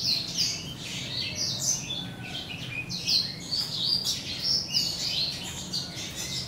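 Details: Breeding-season song of a grey singing finch x black-throated canary cross, male finch father and female canary mother: a continuous run of quick high chirps, trills and short whistled slurs without pause, over steady low background rumble.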